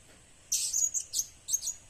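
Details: Short burst from a blue-crowned hanging parrot recorded as a lure: three or four squeaky, very high chirps in under a second and a half.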